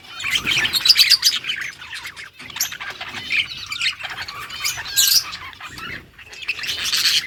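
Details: Yellow budgerigars chirping: bursts of raspy, warbled high chatter separated by short quiet gaps, the flock's calls overlapping irregularly.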